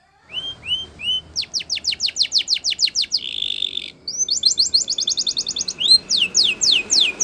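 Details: Spanish Timbrado training song from a yellow canary. Three rising whistles lead into quick descending strokes, a buzzy trill, a fast high rattle, and more sweeping notes. Steady low background noise runs throughout.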